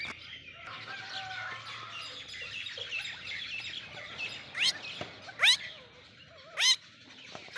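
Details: Golden pheasant giving three loud, harsh calls that sweep sharply upward, spaced about a second apart near the end, over a steady background of many small birds chirping and twittering.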